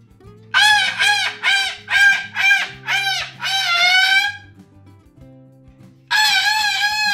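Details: Pet Moluccan cockatoo indoors, being too noisy, giving loud, harsh, rasping squawks in a rapid series of about seven bursts, a pause, then another long screech, with faint music underneath.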